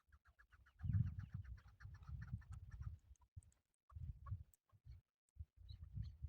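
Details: A male hunting chukar partridge delivers a string of brisk repeated clucks during the first three seconds, gradually fading, while strong low-pitched rumbling noise runs underneath and continues afterwards.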